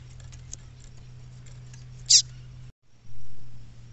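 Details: A female double-collared seedeater calling in the bush gives one quick, high, downward-slurred chirp midway, amid low hum and light clicking, then a short break and a dull low thud.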